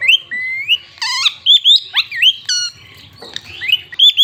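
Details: Desi parrot in a village, giving loud whistled notes that sweep upward, mixed with short harsh squawks, about one call every half second.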